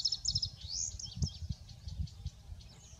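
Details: Male indigo bunting giving a short burst of high, sweeping notes that fade into scattered softer chirps. Low background rumble and occasional knocks are audible.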